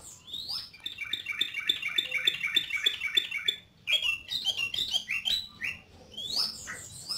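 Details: Yellow-vented bulbul, described as gacor (singing eagerly), in a fast run of repeated chattering notes followed by rising whistled phrases, with short pauses between bursts.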